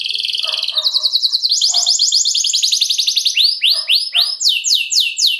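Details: Canary 'luxurious song' used as a lure for other canaries: buzzy high trills give way to rapid repeated chip sweeps and looping whistled notes, with faint lower notes in places.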